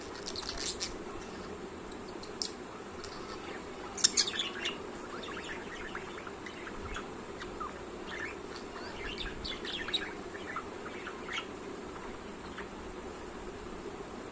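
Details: A pet budgerigar perched on its owner's body, its favourite spot, warbles a soft, rambling song of chirps and chattering notes.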